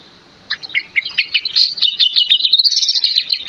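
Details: Male Oriental magpie-robin song used as a lure to provoke other birds into singing: a dense, rapid run of varied high chirps and whistled notes, warbling continuously after a brief quiet start.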